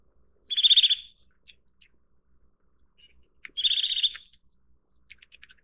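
Eurasian nuthatch giving two bursts of rapid, high trilled notes about three seconds apart, followed by a few soft clicks and ticks.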